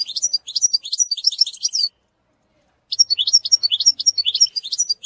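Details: European goldfinch singing to school a young bird: quick liquid twitters and rising notes for two seconds, a one-second silence, then the same bright chattering phrase resumes.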